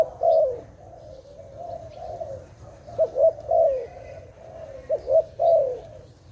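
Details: Dove calling during bird trapping: a series of rolling, burry coos, quick paired notes followed by a longer descending coo, repeated roughly every two seconds over faint low background hum.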